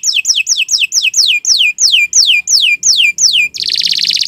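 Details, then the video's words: Canary singing as a master for other birds: about a dozen loud, clear downward-sweeping whistles repeated roughly three per second, ending in a dense buzzy trill. "Kicau Burung Kenari 174 II LUAR BIASA GACOR PANJANG Cocok untuk Masteran"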